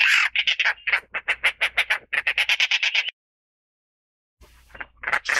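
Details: A Dollarbird (Eurystomus orientalis) gives a harsh, rasping cackle of about twenty quick notes over three seconds, pauses, then starts another grating burst.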